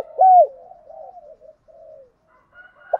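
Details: Spotted dove used as a decoy, cooing to draw in wild doves. One loud, low, rounded coo is followed by a string of quieter, wavering coos and a brief pause, then another soft coo.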